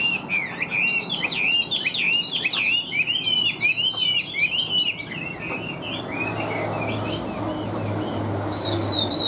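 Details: Caged Chinese hwamei with yellow legs and bill, singing as it flicks its tail: a dense stream of looping, rich whistles for several seconds, then quieter, with a brief high whistle near the end.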